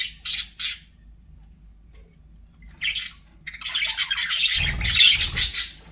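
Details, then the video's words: Pet budgerigars giving a few separate squawks, then breaking into loud dense scratchy chatter, with soft low thumps partway through that may be fluttering or movement. "BUDGIE SOUNDS"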